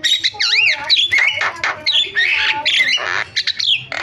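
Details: Javan myna in lively varied song: loud, jumbled squawks, warbled twisting whistles and rasping bursts, delivered in quick irregular phrases.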